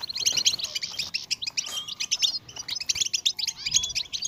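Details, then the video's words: A European goldfinch sings a fast, unbroken song of bright tinkling twitters and buzzy trills, high-pitched and running on without pause, apparently prompted by a motivational song. "La canción de motivación más fuerte hace que el jilguero cante sin interrupción."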